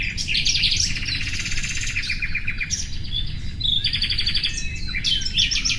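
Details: Nightingale song in dense bursts: fast metallic trills and repeated chirps, a rattling run in the middle, then loud pulsed phrases, with low background noise throughout.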